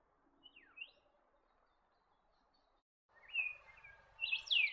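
Black-faced monarch giving high, slurred whistles: a quick falling note and a short upslur, then louder rising whistles after a pause, over a low hiss.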